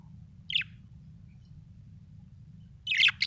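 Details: Happy budgerigar chirping: two short, bright chirps, one early and a louder double chirp near the end, separated by a quiet stretch with a low steady hum underneath.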